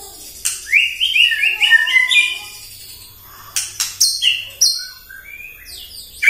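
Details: White-rumped shama singing in full voice in the morning, a provoking song to rile other birds: rapid runs of rising whistled notes, then sharp high chips in bursts, several phrases per second.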